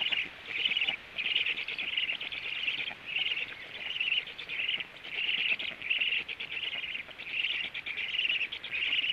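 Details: At 14:45 a male black stork returns to the nest for feeding, and a run of harsh, buzzy high chirps follows in quick uneven bursts, nearly continuous, with faint background noise.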